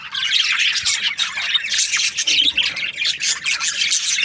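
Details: Australian budgies chatter nonstop: high, grating chirps and warbled squeaks from many birds blend into a loud, steady flock sound pulsing slightly in volume.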